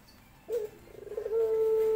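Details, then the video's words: Courting male dove calling to a female: a brief note, then a stuttering, pulsed run that settles into a long, flat, low hum held to the end. "Rintihan Pelung Jantan Mencari Betina"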